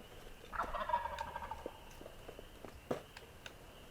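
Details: Gobbling of a wild turkey in the dark before daylight on Tennessee's turkey season opening day: one rapid, descending rattle of about a second, followed by faint clicks and a steady background hum.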